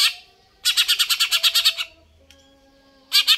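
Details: Greater green leafbird singing loudly: a rapid run of about ten harsh, buzzy, evenly spaced notes, a pause with a faint low tone, then the same rough notes starting again.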